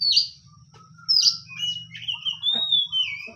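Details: Oriental magpie-robin kept as a hot-tempered songbird, giving sharp high whistles and a long clear note sliding downward, over steady low human speech.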